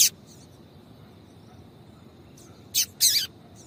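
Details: Female Yellow-bellied Seedeater calling to stimulate the male: short, high, sharp chirps, one at the start and a tight burst of three near the end, over a steady thin whine and quiet background.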